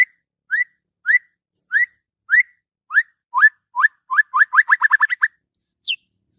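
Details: Morning song of a white-rumped shama: upslurred whistles at first about two seconds apart, speeding into a quick trill, followed by high thin descending notes.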